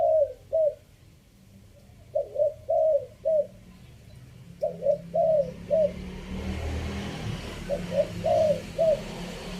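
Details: Repeated groups of low, hollow three-note coos from a spotted dove in Chiang Mai, Thailand, used as a decoy call in phrase style five. Each group has a short burred lead-in and a longer coo, and passing traffic rumbles through the second half.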